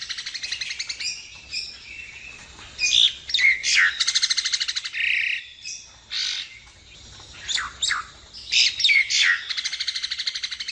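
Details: Nias hill myna singing, a recording meant as a tutor track or for luring birds: rapid buzzy rattles alternate with loud harsh bursts and short rising whistles, in two busy phrases with a brief lull between.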